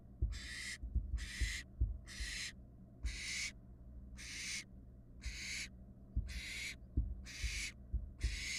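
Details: Young barn owls, fledglings watched by a nest camera in Florida, 2022, produce nine rasping hiss bursts, roughly one per second and steady in pitch, with soft low knocks and bumps underneath.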